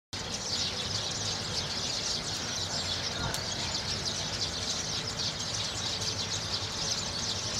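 A dense flock of sparrows chirping nonstop, with high, overlapping cheeps blending into one steady chatter and no pauses.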